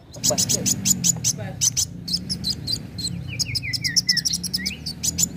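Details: Kolibri wulung sunbird sings as a lure to get birds singing: fast, sharp high chirps in quick succession, then a row of short falling whistles and an upslurred note, over a low droning background.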